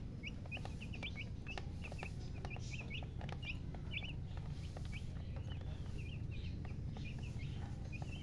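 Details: Chicken chicks give bright, brief peeps in quick irregular bursts, with clicks, tapping and a rough background rumble throughout.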